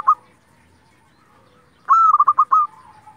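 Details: Zebra dove of local type singing as a lure to make other doves reply: after a short opening note and a quiet pause, one loud phrase of a high clear coo followed by rapid stuttering coos.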